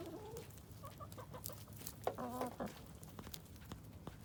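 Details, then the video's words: Chickens on an urban farm in Colorado Springs clucking while some eat a pumpkin; soft low clucks, then a clearer drawn-out nasal call near the middle, over faint background noise. "Chickens Making Chicken Noises"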